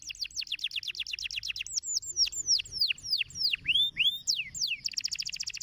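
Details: Stimulating canary song to make canaries sing: a quick series of repeated downslurred notes slows into loud, sweeping falling whistles, then breaks into a very fast, buzzy high trill, all clear against a quiet background.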